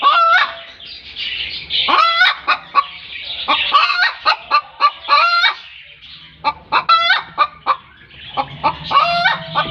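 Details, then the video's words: Chicken hen calling after laying an egg: loud, repeated cackling notes with a rising then falling, honking quality, uttered in bursts every second or so, with harsh squawks between them. "Why does a hen make a noise when she lays an egg"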